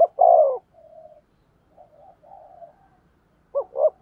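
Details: Spotted dove used as a decoy to draw in wild doves. A loud, falling throaty coo opens, softer muted coos follow, then a sharp stuttered pair of notes and a strong coo end the phrase.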